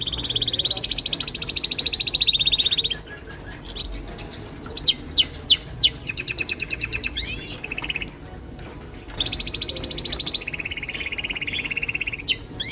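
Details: Chorus of male canaries, each singing his own song to impress: long rapid high trills, bursts of sharp rising and falling whistles, a lower buzzy roll, and separate tours of repeated notes with brief pauses between.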